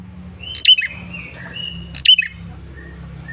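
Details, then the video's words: Male bar-winged prinia lure call: two bursts of sharp, high chips sliding into thin whistled and buzzy notes, about a second and a half apart, over a low steady hum. "Suara PIKAT prenjak kepala merah jantan GACOR NGOTOT"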